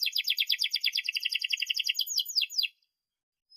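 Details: Canary song played as a lesson for young canaries: a rapid, even roll of buzzy notes lasting over two seconds, closing with a few sweeping whistles before silence.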